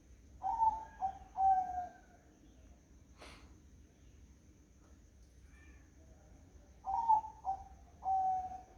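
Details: Zebra dove singing on a foggy morning: soft cooing phrases of short warbled notes, two bursts separated by quiet, with a single sharp click in between.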